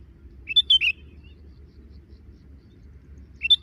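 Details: Sooty-headed bulbul giving calls as it drinks, a quick trio of clear chirps early on, then a long quiet gap before another short chirp pair at the close.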